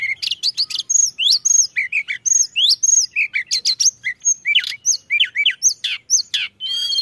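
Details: Pied bushchat in dense, non-stop song used as a lure for other birds: rapid high whistles, clicks and upturned slurs repeated in quick phrases, closing with a buzzy note.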